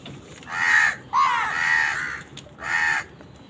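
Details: Crows contest food with wild birds, giving three drawn-out, raspy caws, the middle one longest and slightly wavering, against a quiet background.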